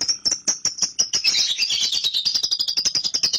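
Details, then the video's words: Young lovebird, caged, a track meant to provoke its long chatter called ngekek: a rapid run of harsh clicks, about eight per second, beneath a high buzzy chatter that rises into a dense, continuous trill. "PANCINGAN LOVEBIRD PAUD AGAR NGEKEK"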